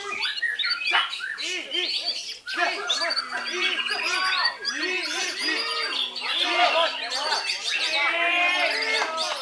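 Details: A run of low, arched, hooting notes from a Belitung white-rumped shama, repeated one after another, overlaid by higher chatter and dense trills that build into a loud continuous stream.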